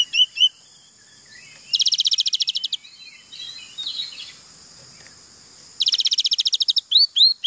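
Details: Oriental magpie-robin mimicking canary song with two bursts of rapid, dry trills each lasting about a second, separated by softer scratchy notes, ending in bright slurred whistles.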